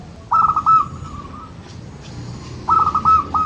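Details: Local zebra dove (perkutut lokal) cooing, used to stimulate birds that rarely sing: two phrases of rapid stuttered whistled notes ending in a long level hum, about two seconds apart, over quiet background hiss.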